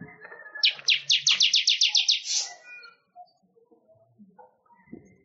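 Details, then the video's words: Manyar weaver song for training other songbirds: a quick series of about a dozen high ticking notes ending in a brief hiss, then quiet scattered chirps and faint knocks. "Suara Ocehan Burung MANYAR"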